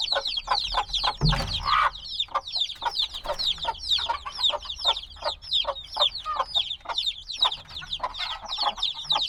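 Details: Black baby chicks, freshly hatched days ago and still wanting their mother's warmth, in a binaural recording. A continuous chorus of thin falling peeps is broken once by a dull low bump early on.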